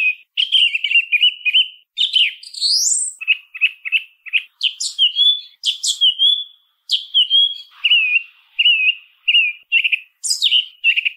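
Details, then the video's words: Continuous song thrush singing with many short phrases, each note or motif typically repeated two to four times: low whistled notes in series, sharp high squeaks and descending slurs, in a quiet setting. "SONIDO de ZORZAL COMÚN CANTANDO"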